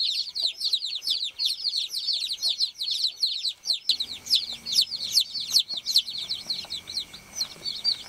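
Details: Baby chickens on a farm peep steadily in high, rapid, falling notes; about halfway through, low rustling and handling noise join the continuous chirping.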